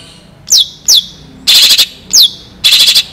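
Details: Long-tailed shrike singing loudly with mimicked phrases, a tutor recording for training shrikes: clear steeply descending whistles alternating with rasping, buzzy, stuttering bursts, each phrase about a quarter second long, all loud and close.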